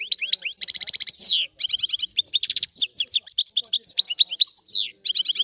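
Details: Singing European goldfinch delivering rapid chattering phrases, with mixed high tinkling notes, quick rattling trills and sliding downward notes, barely pausing.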